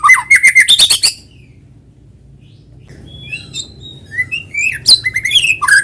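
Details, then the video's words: White-rumped shama song, played to set other shamas singing: a quick run of sharp, repeated ticking notes, a pause, then thin high whistles, including long level ones, and sweeping slurred phrases. "PANCINGAN BURUNG MURAI GACOR SUARA ALAMI BIKIN MURAI BATU IKUT BUNYI"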